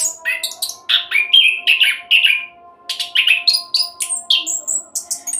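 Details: An orange-headed thrush sings nonstop, meant as a lure to get other birds singing: bursts of jumbled whistles and trills, a brief gap after two seconds, then more rapid chirping phrases over steady faint hum.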